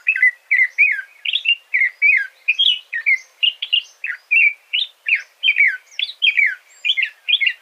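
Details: Red-whiskered bulbul (Pycnonotus jocosus) singing a lively run of short, warbled, slurred phrases, each rising and falling, given in quick succession about three per second with brief gaps, clear against a quiet background.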